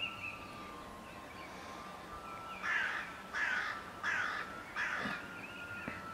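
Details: Rook (Corvus frugilegus) at a forest edge gives four harsh, hoarse caws, each about half a second long, roughly one every 0.7 seconds, over a steady background hum.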